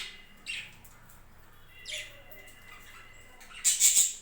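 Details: Budgerigars on a home budgie farm give two soft, scratchy chirps about a second and a half apart, then a loud, shrill, buzzy burst of calls at the end.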